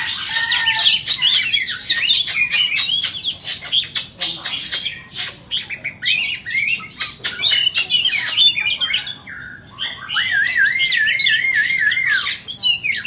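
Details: White-rumped shama, a bird offered for sale, pouring out a long, dense song of rapid scratchy notes and high whistles, later a rolling, wavering warble, with brief pauses.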